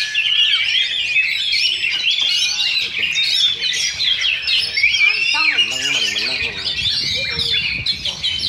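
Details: Two Oriental magpie-robins duel at a Sunday practice singing contest in Sindanglaut, pouring out rich, varied whistled song with rapid trills and sweet phrases that overlap continuously, while men's voices talk quietly underneath.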